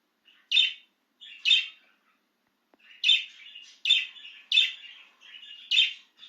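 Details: Excited pet budgerigar free of its cage chirping steadily, six bright piercing notes roughly every half to one second, some preceded by soft twittering lead-ins.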